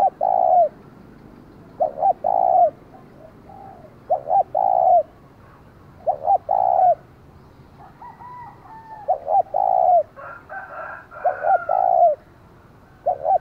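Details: Spotted dove kept as a decoy, its loud 'thúc' call of the 'giọng thổ' style used to rouse wild rivals; steady rounds of a short double hoot and a longer falling coo, with softer higher chirps from other birds in the middle.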